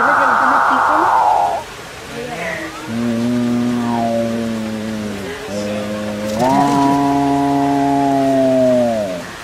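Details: Capuchinbird song of deep, drawn-out mooing tones, each held two to three seconds, wavering then dropping in pitch, opened by a brief brighter buzzy note.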